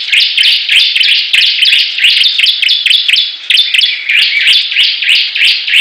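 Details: High, chattering song of Bar-winged prinias (ciblek) battling in 'gacor' style: continuous overlapping bursts of buzzy, metallic chirps, with brief dips between dense phrases.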